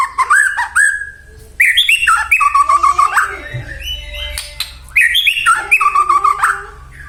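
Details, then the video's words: White-rumped shama song, used as a lure to provoke other shamas into singing: rich, varied whistled phrases with rising and falling notes, quick chattering bursts and harsh buzzy segments, pauses between phrases, faint low hum beneath. "murai batu gacor AMPUH buat PANCINGAN murai batu agar bunyi JADIKAN burung murai gacor EMOSI NYAUT"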